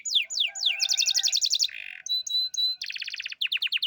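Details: Prize canary in full song, mixing steep down-slurred whistles, rapid rattling trills, a harsh buzzy passage and a sustained high tone, tours switching quickly.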